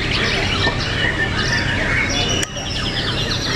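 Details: White-rumped shamas in a fierce singing contest at an arena in Tangerang, Indonesia: several birds pour out loud overlapping whistles, slurred notes and rapid warbled trills over steady crowd chatter, with one sharp click midway.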